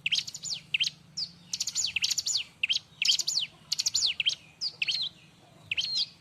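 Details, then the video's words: Bar-winged prinia, busy and noisy song used as a model for other birds: dense clusters of quick sweeping high notes, repeated in rapid, chattering bursts, over a faint low hum. "suara r!but burung ciblek-cocok untuk masteran"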